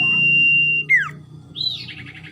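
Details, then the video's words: Caged common iora, described as very tame and in full song: a long flat whistle, then a quick downward-sweeping note and a rising buzzy trill, with a low hum underneath. "burung cipo/sirdung guru vokalnya telunjuk jari"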